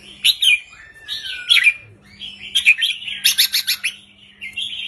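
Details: Red-whiskered bulbul in a cage singing the short counting style 3-4-5: a descending whistled slur, then a quick series of sharp, evenly repeated notes and a closing warble, with a steady background hum.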